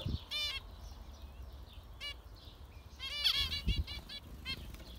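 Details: Zebra finches giving bursts of stacked nasal beeps, a dense flurry of rapid calls toward the end, with a few low thumps.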